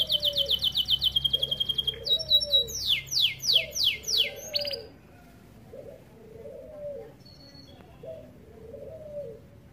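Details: American Fancy canary of starblue colour singing a master song for tutoring young canaries: a fast high trill, then loud descending sweeps repeated about twice a second, followed by a quieter low cooing phrase repeated several times.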